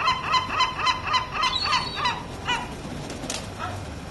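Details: Group of gulls calling together, a fast series of repeated yelping notes, several per second, fading after two seconds into scattered cries over steady background noise.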